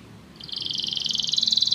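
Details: Canary trill used in canary training, a quiet start rising into a fast even rolling trill of repeated pulses.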